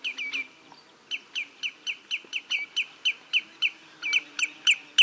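A common greenshank gives a long run of ringing, downslurred 'tew' notes, about three a second, clear and fairly high, with a faint background hum.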